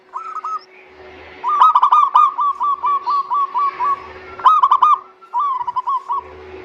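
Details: Local zebra dove song used as a lure to prompt silent doves to sing: two bursts of rapid, hooked, ringing coo notes in quick succession, with fainter doves answering between bursts over a steady low hum.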